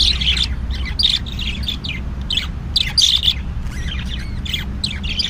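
Budgerigar warbling in a fast run of chirps, squeaks and scratchy chatter.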